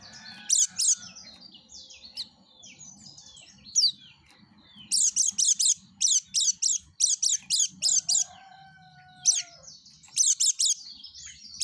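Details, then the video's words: Yellow-breasted white-eye in lively song for luring other white-eyes, delivering runs of piercing high chirps in quick series, with softer twittering and a faint lower whistled slur in between. "suara kicau plece dada kuning gacor"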